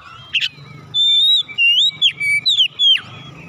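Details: Oriental magpie-robin song used as a training recording to get caged birds to start singing: a run of loud, clear whistled phrases with slurred rising and falling notes and sharp downward sweeps, separated by short pauses, over a low steady hum.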